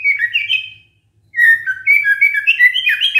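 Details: Lure song of a white-rumped shama meant to draw replies from other shamas, with clear whistled notes, a short pause, then a rapid series of varied rising and dipping whistles; faint low hum beneath.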